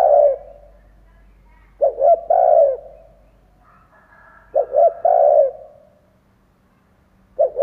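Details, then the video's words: Spotted dove decoy bird giving its stimulating coo: repeated phrases of two quick low notes and then a long, rounded coo, about every three seconds, in quiet surroundings. "Chim cu gáy kích bổi , Cu gáy kích bổi mở là gáy"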